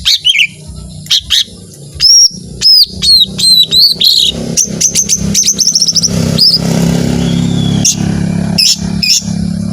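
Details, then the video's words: Lesser green leafbird singing in a long 'tembakan' burst style, described as full of emotion: loud, high, sharply upslurred whistles and chips in quick runs, over a low rumbling background hum like traffic. "ijo mini gacor suara tembakan panjang full emosi"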